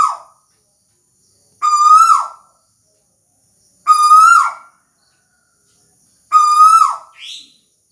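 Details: Tuwu bird song: three loud, full whistled notes, each rising slightly and ending in a downward slur, spaced roughly every two and a half seconds. A faint short high note follows the last one. The setting is quiet.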